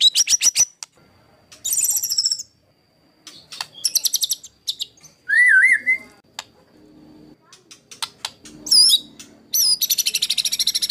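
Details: White-rumped shama master song used to train competition birds, a rough 'tembakan kasar' style: rapid buzzy trills, sharp clicks, a wavering mid-pitched whistle and high looping whistles, with harsh rattling series near the end.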